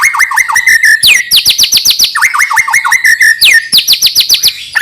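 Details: White-rumped shama singing, played to prompt young birds to sing often: quick sequences of swooping whistles dropping from high to mid pitch, interspersed with sharp ticking notes in steady rapid rhythm.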